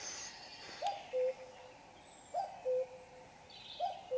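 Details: Cuckoo calling in darkness at 5 a.m. on a Sunday: three evenly spaced two-note cu-coo phrases, a short higher note followed by a longer lower one, about every 1.5 seconds, with faint bird twitters behind.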